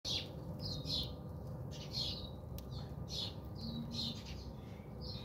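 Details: House sparrows bathing at a home in South Africa, giving short bright chirps in quick irregular bursts, several overlapping, over a steady low hum.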